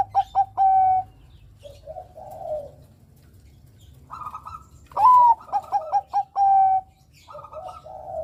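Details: Zebra dove (Bangkok perkutut) with a loud voice, suited as a lure bird, gives clear cooing around one kilohertz: quick staccato coos then a longer drawn-out coo, in short phrases over faint hum.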